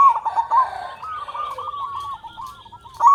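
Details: Local Indonesian zebra dove with a big voice, used as a lure for other zebra doves. A stuttered opening coo leads into a smooth run of rolling notes, backed by a steady higher background hiss.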